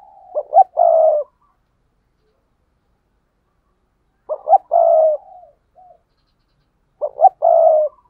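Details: Spotted dove in paired cooing ('cu gáy đôi'): a mellow, low phrase of two quick clipped notes followed by a longer, gently falling coo, repeated three times about every three seconds against silence.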